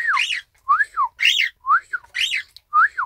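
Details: Isabel pearl cockatiel copying a whistled 'ppoiyo' phrase, recorded indoors 1 December 2018: six clear arched whistle notes, each rising then falling, some with a buzzy upper layer, in quick pairs over three seconds.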